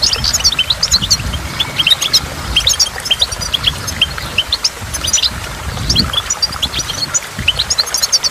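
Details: Beside a waterfall, a goldfinch gives scattered high chirps and short twittering runs, with the steady roar and splashing of water underneath.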